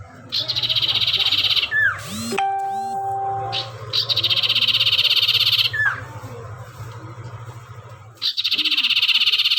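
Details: Spotted owlet giving loud, harsh, rapidly pulsed chattering bursts, each lasting one to two seconds and repeated several times, broken by a short stretch of human voice, with a steady low hum throughout.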